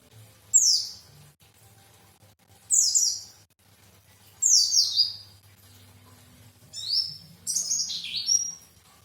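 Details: White-eye singing several brief, very high, down-slurred twittering phrases spaced about two seconds apart, ending in a longer double phrase with rising and falling notes.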